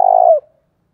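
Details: Spotted dove early-morning lure call: a single loud, sustained low coo dropping slightly in pitch as it ends.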